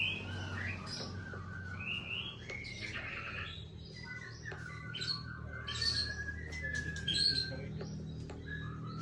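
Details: White-rumped shama in a breeding aviary: varied whistled song phrases, short rising and falling notes and sharp high chips, sung steadily over a low background hum.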